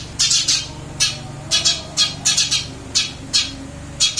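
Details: Eurasian tree sparrow kept in a cage, still chirping busily after a move to a new cage: loud, rough, high chirps given singly or in pairs roughly every half second over a faint low hum.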